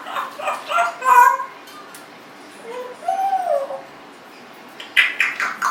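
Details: Speech-like babbling from a young Congo African grey parrot kept as a pet, aged 1.5 years, mixed with a drawn-out wavering whistle, then another cluster of quick talking syllables.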